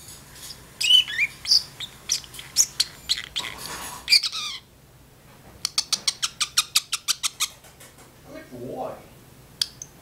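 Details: Caged talking parrotlet in a kitchen, chatting back with its owner: a jumble of high squawks and chirps, a short silence, then a fast even series of about a dozen sharp clicks or ticks.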